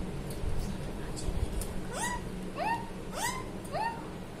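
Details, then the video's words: Talking parrot giving four quick rising, speech-like syllables in a row, each a short upward-curving harmonic note, following a stretch of low rumbling background noise. "talking parrot ❤️। बोलने वाला तोता ❤️"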